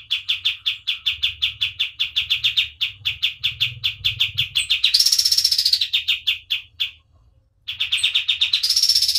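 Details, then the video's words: Kapas tembak white-eye singing in full voice, recorded as a tutor track: long runs of quick, chirpy notes repeated about three per second, breaking into a higher buzzy trill, then a short pause before the chirps resume. "KAPAS TEMBAK GACOR DOR"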